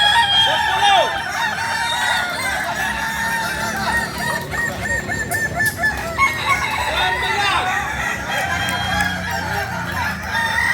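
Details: Crowing from Kukuak Balenggek chickens, a breed native to Solok, West Sumatra. Rapid, wavering crow syllables repeat in uneven runs across about ten seconds, while other fowl call beneath and faint music hums.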